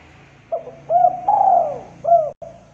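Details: Spotted dove giving the "culhu kuk" style of call, described as thick and clear, from a training recording for contest birds: a short low coo, then a stressed, longer, slightly falling middle note and a final clipped coo, all mellow and hollow.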